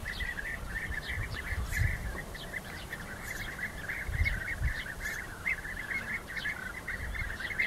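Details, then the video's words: Rival European bee-eaters fighting, giving a steady stream of trilled, purring calls from many birds at once, with occasional higher sharp notes and low thuds in the background. "Rivalenkämpfe Bienenfresser"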